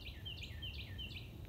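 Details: A distant Carolina wren sings down the hill on the Colorado River banks near Austin, Texas, on a morning of 18 April 2020: a bright slurred syllable repeated about every half second, over a steady low rumble of wind or traffic.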